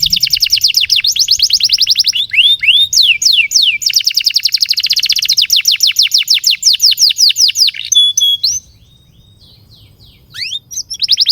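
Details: Prolonged canary song for tutoring young canaries and stimulating silent ones: rapid repeated downslurred notes in long trills, a few slower swooping whistles, a pause near the end, then rising notes.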